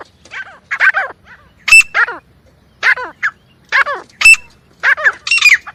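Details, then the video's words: Hunting lure call of the teetar (partridge): repeated rough, buzzy notes sliding downward, delivered in clusters with short gaps, a faint steady whine at times. "Best Teetar Sound for Hunting!"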